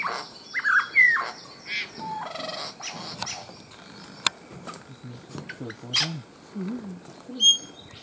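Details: A male Albert's lyrebird displaying in dense foliage in Main Range National Park, Queensland, outside breeding season, gives loud whistles, slurred sweeps, clicks, churring bursts and high piping phrases. The mimicry includes satin bowerbird and crimson rosella.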